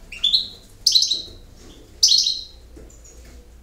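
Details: European goldfinch singing in the campero style: bright, twittering phrases at high pitch, each a quick burst of liquid notes with a buzzy edge, about one second apart, with a low hum beneath.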